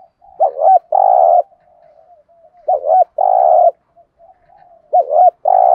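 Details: Gù thúc lure of a spotted dove for training birds: three phrases roughly every two seconds, each a quick doubled hooked note followed by a long rough low coo, with faint murmuring between.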